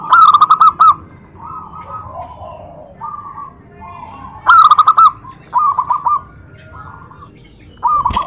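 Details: Zebra dove call intended to make other doves reply: loud trilling bursts of fast coo notes at the start and middle, answered by quieter, flatter cooing phrases from nearby doves between them.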